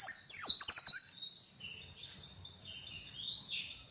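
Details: White-eye from Kuningan, West Java, Indonesia: a loud burst of high, rapid twittering chirps in the first second, then softer continuous warbling chatter that carries on to the end.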